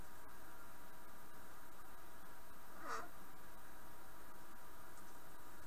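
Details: A pet macaw indoors in a room during gaming gives one short, harsh, raspy squawk about halfway through, against a steady low background hum.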